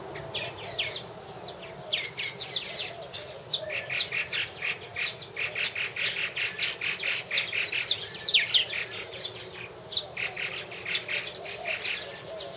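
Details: Purple martin colony at a nest house in 2014, many birds calling at once: dense, continuous twittering of sharp chirps and gurgling notes, rising and falling in waves for the whole stretch.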